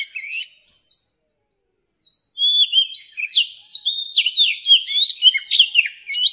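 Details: Oriental magpie-robin, a mature wild-caught bird whose song serves to train young birds. A short rising whistle fades, then after a pause comes a rich, fast warble of slurred whistles and chips. No other sounds.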